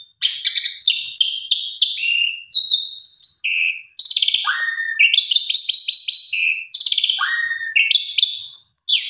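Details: A female Asian pied starling calls to attract a male, used as a lure. She gives a loud, nonstop chatter of buzzy repeated notes, bright whistles and quick downslurred squeals, in phrases about a second long.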